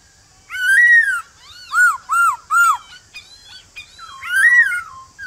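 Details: A male white-cheeked laughingthrush calls a newly caught bird in the morning with its wild-type voice: a long arched whistle, three short domed notes, softer filler sounds, then another long arched whistle.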